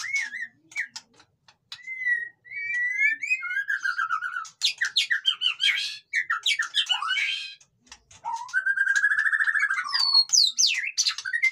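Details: Long noisy bout of white-rumped shama song: clear level whistles, harsh rasping bursts, rapid chattering runs and a buzzy rattled phrase, delivered in quick varied sequences with short pauses.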